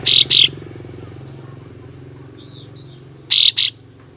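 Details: Kapas tembak singing rough, harsh 'besetan' shots to goad rival kapas tembak into fanning their tails. A double burst opens, soft whistled notes follow, then another rasping pair near the end.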